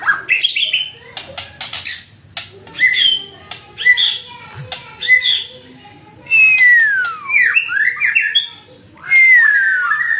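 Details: White-rumped shama from the F3 Medan line in loud, varied song: sharp clicks and short upward whistles, then long descending slurred whistles, with pauses between phrases.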